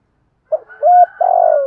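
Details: Decoy spotted dove cooing to provoke wild doves. The phrase is cut short: a quick note, a clear steady coo, then the start of a long buzzy vibrating coo that trails downward.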